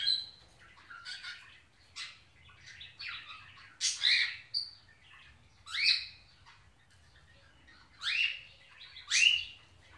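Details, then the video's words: Pet Indian ringneck parakeet greeting an African grey parrot and showing affection; harsh, upward-sweeping squawks repeated about every one to two seconds, with softer chattering notes between them in a quiet indoor setting. "Indian Ringneck Greet African Grey Parrot"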